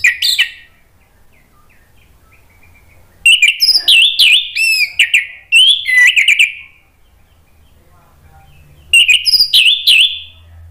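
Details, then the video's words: Orange-headed thrush song as a lure to stimulate singing. Three separate bursts of loud, varied whistled and chirping phrases, with quiet gaps of a few seconds between them. "PANCINGAN ANIS MERAH NGEPLONG merangsang BUNYI jadi NYAUT GACOR NGEPLONG"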